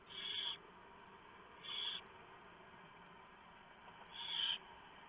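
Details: Barn owl nest at night during the male's delivery of a huge mouse, the owlets being fed. Three scratchy hissing bursts, the first and last longest, spaced irregularly over constant background hiss.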